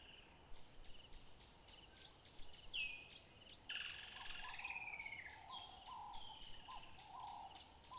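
Southern carmine bee-eaters give burry, rolling chirps, with a dense burst of overlapping calls midway, over a steady fast ticking chorus in the background.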